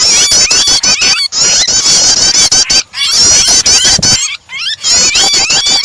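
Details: Starter recording of prinia mixed with a distressed bird, intended to make other birds sing; rapid sharp ticking notes with layered wavering high whistles, interrupted by a few brief pauses and a descending glide.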